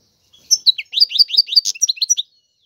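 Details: Short run of European goldfinch song, about two seconds of quick, liquid, downward-sweeping high notes strung closely together, then silence.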